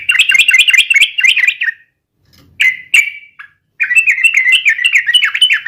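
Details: Yellow-vented bulbul delivers a fighting song aimed at rivals: a rapid chattering run, two isolated slurred notes after a pause, then another long bubbly warbling phrase.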